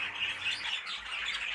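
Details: Exhibition budgerigars kept in a breeding shed chatter as a busy, overlapping flock, with continuous high warbling and squawky notes from many birds at once and no clear pauses.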